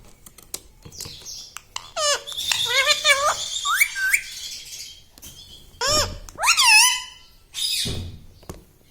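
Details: Pet talking parrot, taught to say words such as "radhe radhe", producing varied chattering sounds: quick clicks, a burst of rapid squeaky notes, then several separate rising-and-falling squawks with pauses between them.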